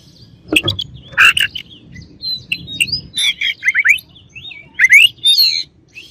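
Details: Rival Oriental magpie-robin song for getting other birds worked up: harsh chatter notes, then a run of quick rising slurred whistles and buzzy phrases over a steady low background noise.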